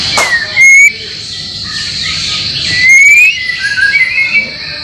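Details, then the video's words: Training material for caged white-rumped shama: two separate long rising whistles, each with a thin higher trill above, then softer warbling over constant background hiss. "masteran murai batu yakin 100% bikin gacor setiap saat"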